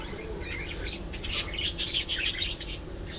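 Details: Budgerigars giving a burst of rapid, scratchy chirps and short warbled notes, high-pitched and irregular, rising in loudness mid-way, over a steady low background hum.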